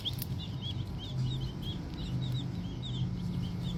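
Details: Peeping of small green junglefowl chicks, a steady line of short curved chirps from several birds, carried over a deep droning hum.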